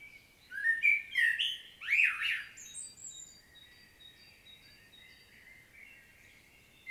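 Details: Field recording of a common blackbird in Świnoujście, Poland, 25 September 2022: a burst of warbled, swooping notes with a squeaky high ending, followed by faint thin whistles from distant birds.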